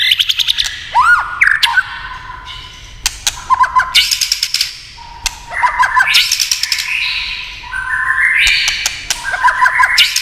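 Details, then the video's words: Tail-tapping clacks set off a white-rumped shama's song: bursts of rapid clicks alternate with looping whistles and rising, trilled phrases. "chòe lửa tạch đập đuôi cạch cạch kích thích chòe lửa hót"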